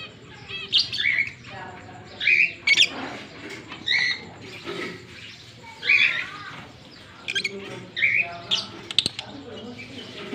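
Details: A green pair of Fischer's lovebirds singing and chirping, recorded October 16, 2023: bursts of sharp, high chirps and squeaky twitters come every second or so, with short quiet gaps between the calls.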